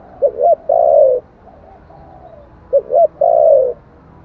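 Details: Spotted dove, 'giọng thổ' voice, played to provoke wild doves. Two phrases of two brief rising-falling coos then a long, level, slightly descending note, with a faint echo-like phrase between them.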